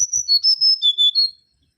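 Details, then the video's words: Singing mangrove whistler (Pachycephala grisola): a short loud run of about seven pure high whistles, evenly spaced and slightly falling in pitch, then silence. "Kancilan Bakau Gacor"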